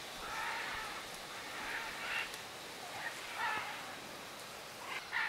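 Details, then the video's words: Many wild macaws at a clay lick in the Manu area of the Peruvian jungle, 2008, alongside other birds: harsh, raspy squawks rising and falling in overlapping bursts at a steady distance, with a soft background hiss. "Macaw clay lick"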